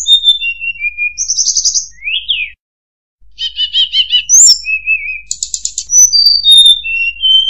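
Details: Murai buluh (tledekan) singing a varied high song: thin whistles sliding downward, buzzy trilled bursts and rising slurs, with a short silent break midway. No other sounds.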